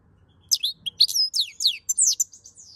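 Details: European goldfinch singing in the chauffer style, May 2022: a quick, tinkling run of high, sharp twittering notes and short buzzy slurs, delivered in a rapid jumble after a brief silence.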